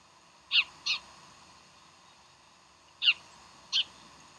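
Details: Bald eagles at Decorah on 15 January 2012: high, thin piping notes in two pairs, each pair of short squeaky calls separated by about two seconds of quiet with steady background hiss.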